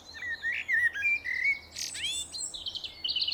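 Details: Common blackbird song: low, mellow fluted phrases rising and falling, broken by a burst of high, scratchy twittering and thin squeaks toward the end, with no other sound competing.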